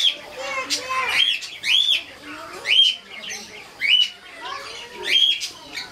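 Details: Cockatiel giving repeated screechy calls about once a second, each harsh burst topped by a short sharp whistled peak, with softer lower chatter between.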